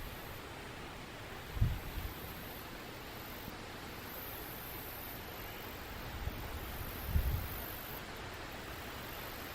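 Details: Quiet steady background hiss broken by two brief low thumps, with no animal calls heard.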